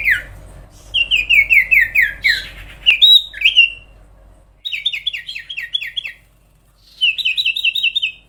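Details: Long sooty-headed bulbul song: several rapid series of evenly spaced, downslurred whistles, like a rippling trill, with one sharp upswept note between them and short silent gaps.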